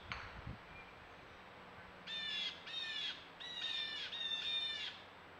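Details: Bird at a birdbath on 6/25, giving harsh, squawking calls with a nasal, harmonic ring. After about two seconds of near quiet, a burst of four or five grating notes arrives in two close pairs, with a faint steady hum underneath.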